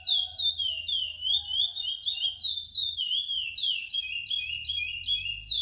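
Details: Captive-bred chestnut-bellied seed finch, a ten-month-old male, singing clear whistled notes that slide up and down, linked into flowing phrases, growing more complex and warbled toward the end; a faint low hum underneath.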